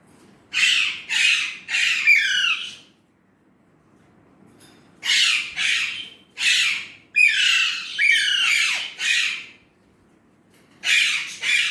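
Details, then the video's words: Indian ringneck parrot talking in Urdu/Hindi: clusters of three or four short, harsh, raspy syllables, separated by silences of about two seconds, with one final short pair. "Indian ringneck parrot amazing talking parrot Mitthu || alexandrine parrot voice talking Urdu/Hindi"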